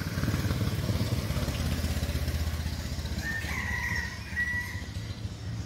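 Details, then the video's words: Red junglefowl rooster, seven months old, kept as a decoy bird in Bình Phước, Vietnam: a loud motorcycle engine drones first, then a brief, high, two-part crow breaks through near the end. "Cánh tốt, siêng gáy gà 7 tháng tuổi, gà mồi"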